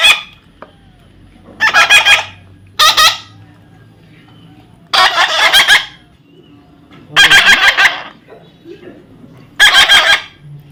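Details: Young parrot calling: six loud, rasping, broadband squawks spaced one to two seconds apart, some rapidly pulsed, with a faint low hum in the pauses.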